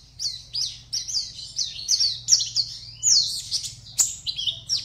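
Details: Singing-contest Oriental white-eye kept in a cage in Pontianak, West Kalimantan, produces a quick string of high chirps and buzzy twitters, growing busier midway, against a quiet background hum.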